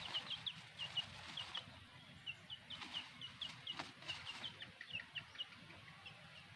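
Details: A black hen accompanied by her chicks; the chicks give steady high, short peeping notes at an uneven rhythm, with faint low background rumble.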